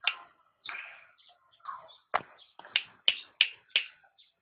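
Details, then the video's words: Cucak rante song for training pet songbirds: a run of varied chirps, slurred notes and sharp clicking strokes, speeding into a string of loud, evenly spaced ticks near the end. "Suara Burung Cucak Rante | Gacor"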